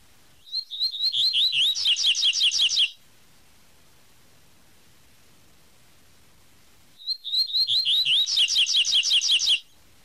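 Double-collared seedeater singing its "tui tui" song twice: high whistled notes run into a fast, buzzy, repeated trill lasting about two seconds each time.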